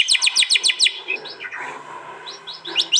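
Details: White-rumped shama from East Java, phone-recorded for a master track: six quick high downslurred chips open the phrase, then softer scattered whistles in a roomy, echoing setting and a final pair of sharp high notes.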